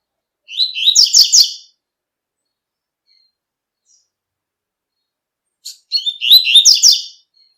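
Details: Double-collared seedeater singing in nature in the tui tui song style: two quick, high warbled phrases of about a second each, with sliding notes and rapid trills, separated by several seconds of silence.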